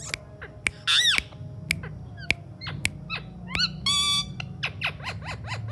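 An Alexandrine parakeet makes a rapid run of sharp clicks and squeaky chirps, broken by two harsh, buzzy, speech-like squawks, with a low hum behind.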